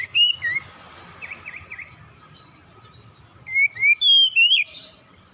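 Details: Relaxed Oriental magpie-robin song meant to lure young untrained birds into full song: a brief whistled opening, soft quieter notes, then a rapid run of bright rising and falling whistles near the end.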